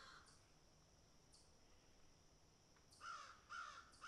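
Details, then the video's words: Crows picking and eating: a faint caw at the start, a quiet stretch with light taps, then three loud raspy caws in a fast series at the end. "crows picking and eating"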